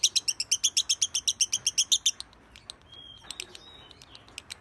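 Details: A champion lovebird in a 'masteran' recording, known for long 'narik panjang' singing, delivers two seconds of quick, piercing, regular chips, then a thin whistle and a few scattered high ticks.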